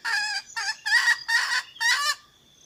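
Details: Wild red junglefowl hen calling the rooster, a sound said to bring wild birds answering and approaching: four quick, harsh, nasal notes packed into two seconds, then a faint high hum.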